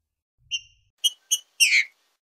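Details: Green-winged saltator (Saltator similis), boiadeiro song type, gives a brief, clear whistled phrase: a single note, two quick matching notes, then a fuller, slurred downward ending.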